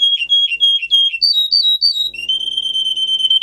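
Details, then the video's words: Russian singer canary, a recording for training canaries to sing: clear, high whistled notes in quick repeated phrases, about three per second, then a long, steady rolling tone. "For training Canary singing (Russian singer canary singing) Original Song. Для обучения канареек"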